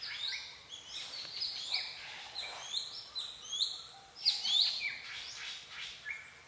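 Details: Forest birds at Phusing, Sisaket, Thailand singing high, quick chirps and twittering notes in a dense overlapping chorus, with a brighter burst of sharp notes near the end.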